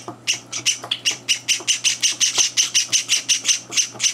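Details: Young Java sparrows being fed breakfast indoors, their third day in the home, two older birds joining in; insistent buzzy chirps repeat steadily about four or five per second, growing louder, with faint background hum.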